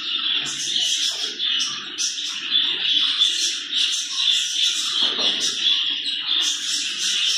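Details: Captive zebra finches in a breeding colony, being moved from a shared colony into individual cages; dense, continuous chatter of high, nasal chirps from many birds overlapping, with soft low thumps and room noise beneath.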